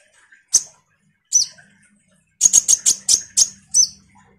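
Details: Common iora in full 'ngobra' song used to lure kolibri ninja birds: two spaced sharp chips, then a rapid sequence of seven piercing high notes, some with short downslurred tails, over a faint low hum.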